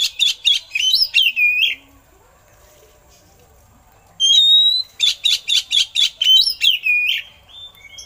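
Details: Oriental magpie-robin song with eagle-call imitations for training other birds: a rapid string of harsh buzzy notes ending in a falling slurred whistle, silence, then a clear high whistle and another fast rasping volley.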